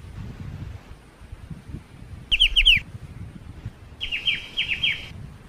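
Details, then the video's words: Black-winged starling singing, recorded as a training track for captive songbirds: a short burst of sharp falling chirps, a pause, then a longer run of repeated downslurred whistled notes, with low rumbling background noise. "MASTERAN KICAU BURUNG CIU"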